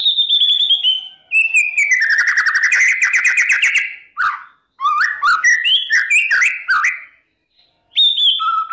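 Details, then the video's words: White-rumped shama morning lure song for provoking contest birds: a long whistle slides down into a fast rattling trill, then varied rich whistled phrases with brief pauses. "PANCINGAN MURAI BATU NGOTOT"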